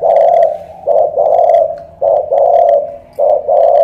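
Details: Loud 'thổ cọp' spotted dove from Ca Mau, Vietnam, giving resonant low coo phrases: a short note, then a long sustained one, repeated three times with brief pauses.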